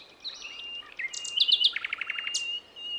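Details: Female nightingale calling to a male in wild Javan forest, used to lure young birds: a long thin steady whistle, then a rapid run of bright trilled notes before the whistle resumes.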